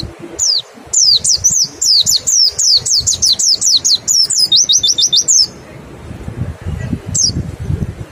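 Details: Lure to set birds singing, a mountain white-eye in 'nembak' song: a long, evenly spaced series of high, descending whistled notes, about four per second, ending in a quick trill, then one final note.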